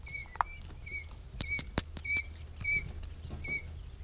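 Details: Three-day-old quail chicks giving short, bright peeps in a loose series, roughly two each second, mixed with sharp taps and clicks like pecking or scratching nearby.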